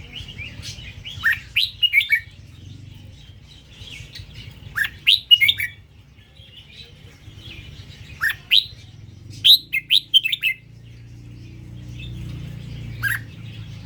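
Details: {'text': 'Indo-strain red-whiskered bulbul repeats short, cheerful whistled phrases of three to five swooping notes every few seconds. The setting is fairly quiet, with a low rumble in the background.'}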